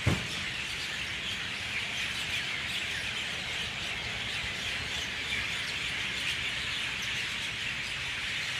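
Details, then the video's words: Many mynahs in a dawn chorus while birds begin to leave the trees, a thick unbroken mass of shrill chirps and squeals blending together, with one brief sharp knock at the very start. "Dawn chorus of Mynah birds"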